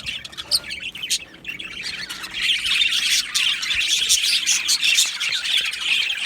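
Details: Budgerigars in an aviary colony, softer scattered chirps at first, then swelling into dense rapid twittering and chattering from many birds for the remainder.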